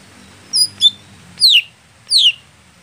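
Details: Contest greater green leafbird that is slow to get going. A high note is followed by a quick second chip, then two separate loud, falling whistled slurs.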